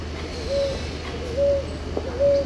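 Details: Ruddy ground dove (Columbina talpacoti), a common native species of urban Brazil, giving soft, even song coos: three mid-pitched notes spaced just under a second apart over a low steady hum.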